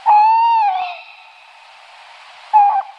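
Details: Tawny owl with a clear, even hoot of about half a second, a long silent gap, then a shorter hoot at the end. The tones are pure and mid-pitched against a still background.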